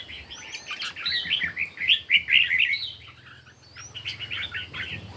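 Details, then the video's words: Red-whiskered bulbul in a morning singing competition: lively, warbled phrases of high chirpy notes given in quick bursts, with thin whistled slurs and other birds chirping alongside over a faint low hum. "Chim Chào Mào Hót Đấu Buổi Sáng"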